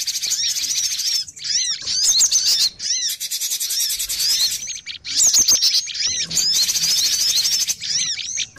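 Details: Crowded cinereous tit calls for luring birds into traps. Repeated arched chirps and buzzy chatter come in bursts separated by brief silences around one and a half, two and a half and five seconds.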